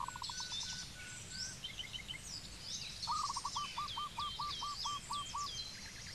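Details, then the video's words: Zebra dove in Cambodia giving short low cooing notes: a brief stuttered run early on, then a long staccato series of about ten clipped, hooked coos, with higher chirping and whistling birds in the background. "Zebra Dove Bird call"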